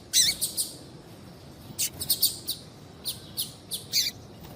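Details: A calling female papa-capim seedeater, used to excite males into song. Loud high chips in small groups with gaps between them, including a few downslurred notes.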